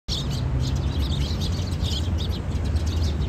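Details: Noisy group of sparrows filmed on 15 March 2022, giving short high chirps again and again in an overlapping chorus, set against a steady low rumble of background noise.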